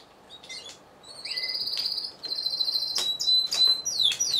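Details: Lone Timbrado Español canary at a singing show in November 2015, mixing short chirps and a slurred whistle with ringing, steady trills and sharp clicking notes.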